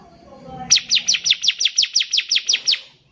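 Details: Bar-winged prinia, recorded as a singing model for young birds, delivering one fast run of about twelve bright, sharp, descending high notes in under three seconds after faint background noise.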